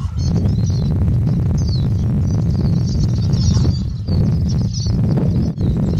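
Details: High, thin, chattering twitter from a Eurasian siskin running without pause, made of quick squeaky slurs and tinkling notes, with a strong low rumble and occasional knocks in the background.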